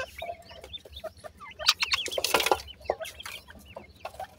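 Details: Several Indian grey francolin (gora teetar) chicks peep in high, wavering notes, some bending up and down, partly covered by a loud burst of rustling noise in the middle of the short clip.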